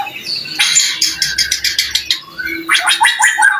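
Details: White-rumped shama song used as a lure for other shamas: harsh, gargling rapid bursts of chatter in two bouts separated by a quieter pause.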